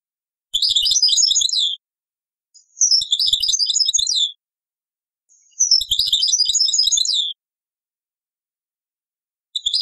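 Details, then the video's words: From an old cassette, a European goldfinch delivers Taqsrayn-style song: four bright, rapid twittering phrases, each running one to two seconds, separated by quiet pauses. "تغريد تقصراين من كاسيت قديم"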